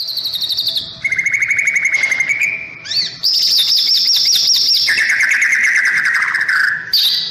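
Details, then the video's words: White-rumped shama singing while sunbathing in the morning: a long varied phrase of rapid buzzy rattles that jumps between high and middle pitches, with sustained trilled stretches and brief pauses. "Masteran burung murai batu saat di jemur pagi pagi"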